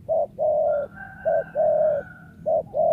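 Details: Wild spotted dove kept as a lure bird, cooing loudly in repeated short-long pairs, deep and smooth, while a thin, drawn-out call from another bird sounds faintly behind.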